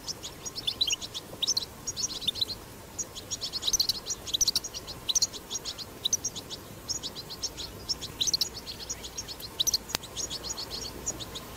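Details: Wild European goldfinch giving long 'batbata' song: sustained streams of rapid, high, jingling twitters in repeated bursts, with a brief click late on and steady faint background noise.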